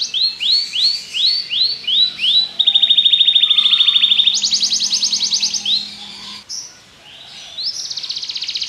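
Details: Belgian canary singing: a run of rising, swooping whistled notes repeated about three per second, then a fast rattling trill, a higher buzzy roll, a brief pause and another bright trill.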